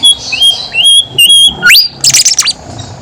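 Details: Horsfield's babbler, a lure recording for lazy singers: clear, high, level whistles strung together, a sudden rising sweep, then a quick jumble of very high chirping notes.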